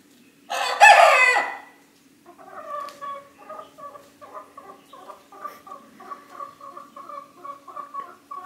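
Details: A 25-week-old Cream Legbar-mix young rooster, just grown, attempts to crow: one short, harsh, strained crow lasting about a second, followed by a run of soft, rhythmic clucking notes.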